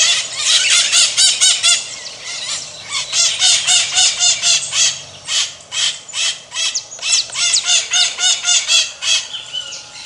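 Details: Several maritacas (Pionus parrots) give strident, rasping shrieks in quick rhythmic runs, about four notes a second, with brief gaps between loud clusters.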